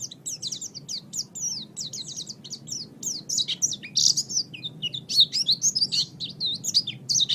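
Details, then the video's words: Master recording of an Oriental white-eye for birds to learn from: continuous bright, high-pitched warbling made of quick slurred chirps and trills, swelling in volume through the second half, low background hum. "raja masteran pleci"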